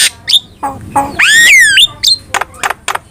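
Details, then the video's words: Starling song used as lure and training material: harsh nasal notes, then a long loud squealing note that rises and falls, followed by dry clicks and short high whistles. "PANCINGAN DAN MASTERAN BURUNG JALAK"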